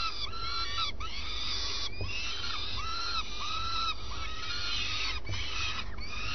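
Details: Common swifts at the nest at first light give quick runs of bent, nasal harmonic notes, several per second, along with a few sharp clicks and a constant low-frequency hum.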